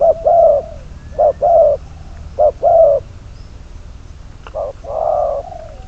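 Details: Decoy spotted dove, bird number 22, for trapping, coos three short-long pairs, pauses for over a second, then ends with a single softer, longer falling coo; a sharp click sounds just before it.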